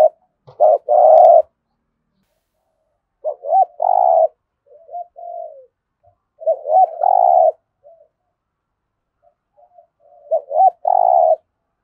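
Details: Spotted dove cooing, THỔ voice style, to get captive birds calling; phrases of two quick looping notes and a drawn-out buzzy coo recur roughly every three seconds, softer descending coos in between.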